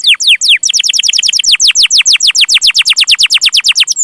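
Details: Domestic canary singing a long lively song, used as a tutor recording for young birds: rapid series of clear downward-sweeping whistled notes, about eight per second, steady and unbroken throughout.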